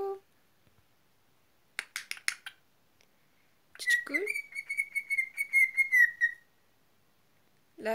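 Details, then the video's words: Pet cockatiel talking and whistling indoors: a few short scratchy notes, then a long steady whistled tone held level for over two seconds, with a brief lower swoop at its start. "Mükemmel Islık-Sultan Papağanı"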